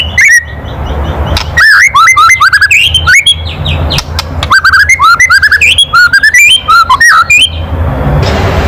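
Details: Loud kretekan of a white-rumped shama, murai batu, used to provoke emotion and song in other birds: dense rapid sequences of sharp whistled and upslurred notes with brief gaps.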